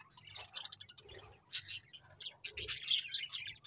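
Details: Budgies chatter with quick, overlapping high chirps and warbles, fairly soft, broken by a couple of louder sharp bursts over a faint low hum.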